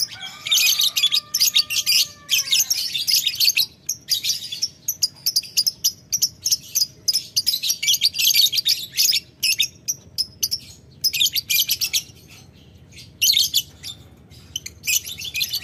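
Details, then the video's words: Lovebird chattering at a rival in ngetik ngekek fashion: long dense stretches of shrill, scratchy high chatter broken by brief pauses, with a faint lower whistled tone near the start. "Lovebird Memanggil Lawan Ngetik Ngekek - Tidak Lama Labet Auto Nyaut Ngetik Ngekek Panjang"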